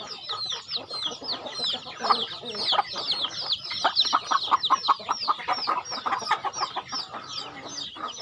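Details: Chickens at feeding time on a farm give thin downward peeps over a steady run of pecking taps and clatter, the clicks growing denser midway.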